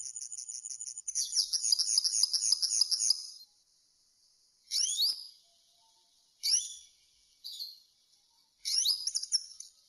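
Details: Campero-style serin song: a run of quick, evenly repeated high chirps for about two seconds, then four shorter bursts of sharp, down-slurred twittering notes separated by brief pauses.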